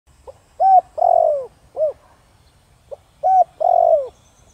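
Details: Spotted dove of the Thổ Đồng voice style, cooing to lure wild doves. Two mellow phrases: a soft pickup note, a clear coo, then a long, drawn, falling croo and a short arched note. Quiet background.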